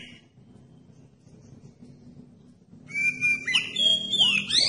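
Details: Lure song of an oriental magpie-robin, meant to set other magpie-robins singing. A low steady hum fills the first seconds, then bright whistled phrases begin, with sharp upward and downward sweeps and high sliding notes.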